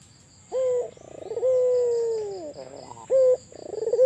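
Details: Albino Barbary dove calling actively: a short rising note, a rolling burbling trill, then a long steady mellow coo that slides downward at its end, with a second short note and trill following; faint steady high whine behind.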